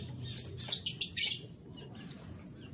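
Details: Morning canary song from a caged bird: a quick run of about seven bright, high twittering notes over one second, then a lone chirp, with a constant thin high tone behind.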